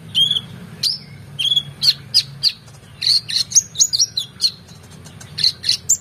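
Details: Oriental magpie-robin in lively song for schooling competition birds: clear whistled notes, some rising, then a run of quick chirps and varied trills, loud and close, with a low background hum.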